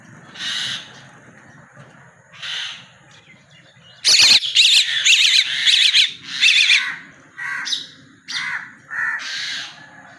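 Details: Fallen common myna chick giving scattered soft, breathy rasps at first. After a few seconds it breaks into a loud run of quavering, buzzy calls, followed by a few more spaced harsh notes.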